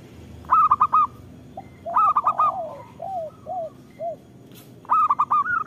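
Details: Local zebra dove song meant to coax other zebra doves to sing; three bursts of rapid staccato coos, with a string of lower, softer falling coos between them.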